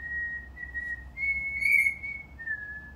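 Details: Cockatiel kept as a pet, learning a melody by checking each pitch, whistles a smooth run of sustained notes that rise to a louder peak and then drop back down.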